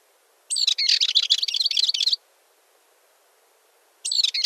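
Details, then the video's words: A Balearic warbler (Sylvia balearica) sings a fast, scratchy, high-pitched warbling phrase lasting under two seconds, then starts another after a short pause; nothing else is heard. "Curruca balear (Sylvia balearica) Canto"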